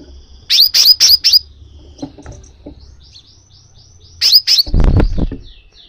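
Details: Crimson sunbird call for stimulating a caged sunbird to sing: four quick, piercing high chips, soft thin twitters, two more chips, then a low thump.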